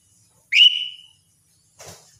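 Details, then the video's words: Single clear whistle from a lesser green leafbird at morning, shooting upward then stretching into a level fading note, followed by a brief soft rustling noise. "cucak ijo mini RUTINITAS bunyi di pagi hari"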